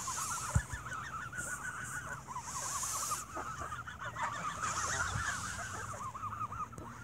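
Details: Evening feeding of geese with bread leads to squabbling; many birds give quick repeated arched honks in a dense chorus, with a sharp knock early on and intermittent hissy noise bursts.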